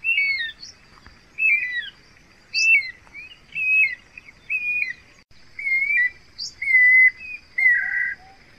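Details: Guira cuckoo delivering repeated falling whistled notes near once a second, interspersed with short higher chirps, closing on a rougher buzzy note with soft low notes, under a continuous high-pitched drone.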